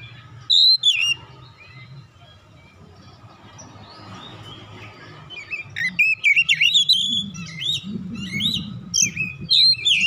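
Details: Kacer, the oriental magpie-robin, singing after being provoked: opening sharp whistles, a quieter stretch, then a burst of varied slurred whistled notes and sweeps in the last four seconds over steady low rumbling background noise.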